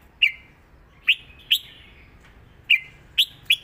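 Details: Red-whiskered bulbul kept in a cage, singing a southern Thai song pattern for teaching birds. Single loud, sharp whistled chirps with short trailing tails are spaced irregularly, about half a second to a second apart.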